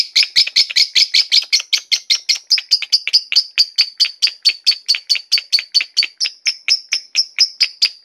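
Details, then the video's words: Long-running lovebird ngekek from a Batman-colour bird, starting with dense, harsh, layered chatter and thinning into a regular train of shrill, sharp chips. "Love bird betmen ngekek durasi"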